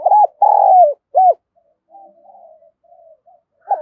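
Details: Spotted dove cooing in the 'thúc gù' style, recorded for training decoy birds: a short coo, a long falling coo and a brief third note, then soft murmuring, with another coo starting at the end.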